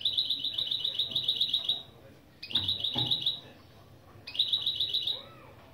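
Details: Goldfinch × canary mule singing lesson phrases: rapid trills of short repeated notes high in pitch, bursts lasting about two seconds separated by pauses, with faint low background noise.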